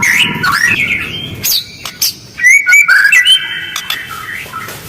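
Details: White-rumped shama uttering rough, quick calls with close spacing, used to draw responses from other birds: clipped whistles, sliding notes and sharp broadband clicks in an irregular, dense stream.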